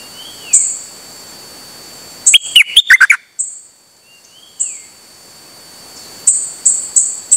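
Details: A Dok Taeng bird recorded 8 September 2023, calling without pause on a rare outing. It gives a rapid cluster of sharp chattering notes, soft rising-falling slurred whistles, and a string of three or four thin high piping notes near the end.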